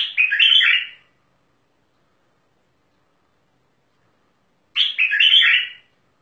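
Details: Bulbul of the Mandali type delivering two loud, warbled phrases about four seconds apart, each a quick run of fluty, gurgling notes with silence between.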